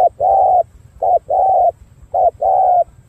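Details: Trained decoy spotted dove with purple-black legs, said to coo very well, cooing in soft, low, hollow phrases: a short note then a longer rolling coo, repeated about once a second, with a faint background hum.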